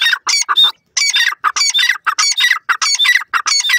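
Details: Grey francolin calling loudly: dense, harsh, rapidly repeated notes that run almost continuously with only brief gaps.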